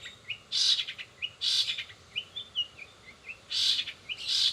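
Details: Rapid long-tailed shrike song laced with imitated sparrow, sogon and canary notes: loud grating bursts separated by soft, short upslurred whistles and small chips.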